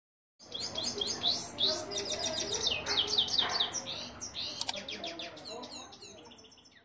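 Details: Goldfinch singing: a fast, tumbling stream of high, tinkling twitters, trills and sharp chirps, starting after a brief silence and running continuously, with a faint low background hum.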